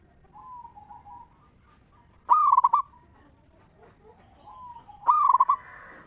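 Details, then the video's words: Local zebra dove performing a ngeristal lure song that is meant to draw answers from other zebra doves. Gentle low coos lead into two loud, rattling coo phrases roughly three seconds apart. "Perkutut Lokal Gacor RAJA PIKAT Suara Ngeristal Paling Ampuh Bikin Semua Perkutut Nyaut Gacor"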